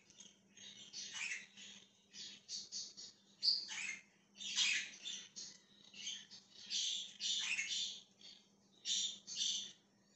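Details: Budgerigar from 20 January 2023 chirping steadily for ten seconds: an almost unbroken stream of short, scratchy, warbled notes and buzzy squawks at varying loudness, with a faint electrical hum.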